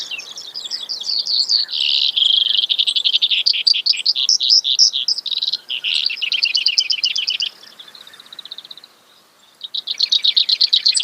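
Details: Brewer's sparrow singing a long run of high, buzzy trills, each rapid series shifting to a new pitch, with a brief thin pause near the end before another fast trill starts.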